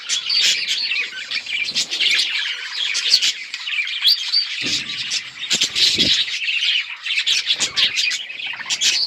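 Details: Colourful budgies recorded on October 26, 2023 chatter together in a busy flock, rapid high warbling and chirping layered over one another with occasional harsher squawks and brief low bumps.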